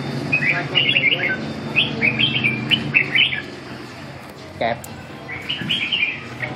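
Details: A red-whiskered bulbul being trained sings quick, lilting warbles in clusters, pausing briefly before a final run of notes, with a steady low hum behind.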